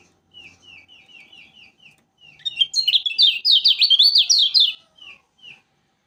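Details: Lombok yellow flowerpecker, an energetic, persistent singer: a row of soft, evenly spaced short chirps, then a loud, fast burst of high twittering and buzzy warbled notes, ending with two quieter chirps.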